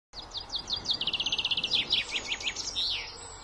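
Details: Common chaffinch song: a clear descending trill of rapid repeated notes that speeds up into an even rattling series, then ends in a few louder, emphatic downward-slurred notes and a final flourish, with faint background hiss.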